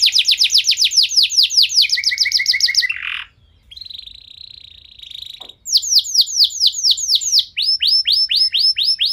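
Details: Canary singing as a prompt to set other canaries singing: rapid repeated downward-sweeping notes, a low buzzy trill, a brief pause with a steady buzzing tone, then more quick repeated swept syllables.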